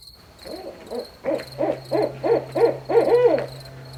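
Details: Barred owl calling at night: a rhythmic run of about eight deep hoots, each roughly a third of a second apart, ending in a longer drawn-out, falling note, while crickets pulse faintly behind.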